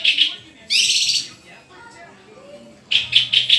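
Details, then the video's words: Energetic white-rumped shama song opening with two high whistled notes, then a dense harsh rasping burst, a quiet pause, and four loud clipped notes repeated quickly. "SUARA INDAH BURUNG MURAI GACORRRRR!!!"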